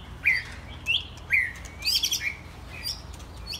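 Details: Mostly first-molt young white-rumped shamas playing together give short, bright whistled phrases about every half second, with a higher burst of notes near the middle.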